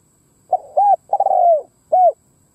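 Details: Spotted dove decoy calling to attract wild doves, a full coo phrase: short lead note, hollow arched coo, long slurred falling coo, then a separate rounded coo.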